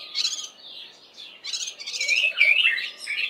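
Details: Cape white-eye giving an alarm call early in the morning on seeing a large spotted eagle-owl sitting on a roof near where it had been foraging; harsh, scratchy chattering bursts with a few thin whistled slurs, over a faint steady hum.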